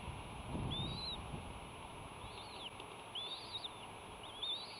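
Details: A bald eagle at the Sauces nest on Santa Cruz Island, California, on 15 March 2018, shortly after its chicks hatched on 13–14 March, gives thin, high chittering calls in four quick bursts about a second apart while fighting, over a low wind rumble.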